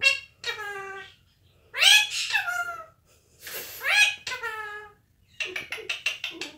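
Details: Indian ringneck parakeet kept as a pet, talking energetically indoors: loud, raspy, speech-like phrases with falling inflections, followed by a fast burst of clipped, chattering syllables.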